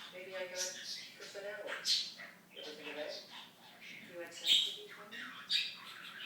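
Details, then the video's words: Pet talking budgerigar indoors, kept from 2007 to 2016, giving a run of rapid, buzzy, speech-like chatter with warbled syllables broken by sharp high chirps near two and four and a half seconds. "Torres The Talking Budgie"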